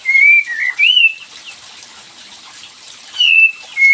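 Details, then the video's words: Cream-vented bulbul, played to coax a reluctant bird into song: three linked whistled notes rising at the end, a quiet stretch, then two more clear whistles against a soft rushing hiss. "SUARA PANCINGAN UNTUK KAPAS TEMBAK MALAS BUNYI"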